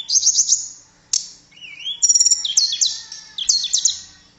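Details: Blue flycatcher known as tledekan delivering a melodious burst: quick high chips, a smooth gliding whistle, then rapid descending warbled notes repeated in short clusters.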